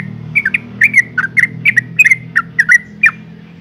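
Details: Female sooty-headed bulbul in breeding condition calling to males: a series of short, bright, bubbly chirps about three to four per second, some dropping in pitch, over a low background hum.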